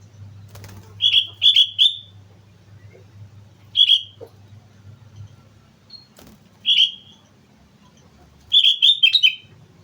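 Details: Sooty-headed bulbul singing persistently on Mount Slamet: short bubbly, liquid phrases of two or three quick warbled notes, delivered in separate bursts a few seconds apart over a faint low hum.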